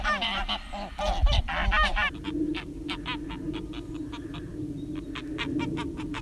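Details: Domestic guard geese on a farm pasture fighting two wild Canada geese, one a white-headed female, give a burst of loud, harsh, rapid honks for two seconds, then fainter repeated honks over a low, steady rumble.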